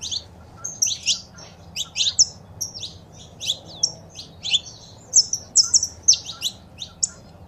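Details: Saffron finch, female calls with a male singing, meant to stir a kept bird into song; a dense run of sharp high tweets and brief whistled slurs, barely pausing.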